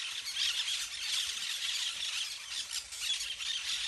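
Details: Dense shrill squawking from a flock of parakeets playing in the trees, many voices overlapping into a continuous rasping chatter.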